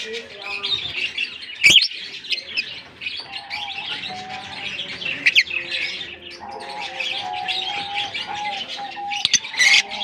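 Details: A colony of African lovebirds chatters continuously in high, scratchy chirps. Loud piercing squeaks stand out near two, five and ten seconds, with faint level tonal notes running underneath.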